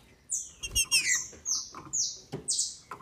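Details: Captive female green-winged saltator in Brazil, sung to excite males: very high, thin whistled notes, some sliding down, others held flat, between short clattering bursts.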